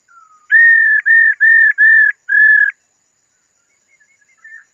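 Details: Female laughingthrush calling to stimulate a male into song: five even, level whistled notes in quick succession, each roughly a third of a second long, followed by faint soft chirps.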